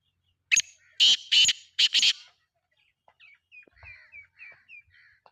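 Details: Black francolin, recorded 17 November 2025, giving a loud harsh call of four grating bursts in about two seconds, followed by a run of faint, thin, high squeaky notes.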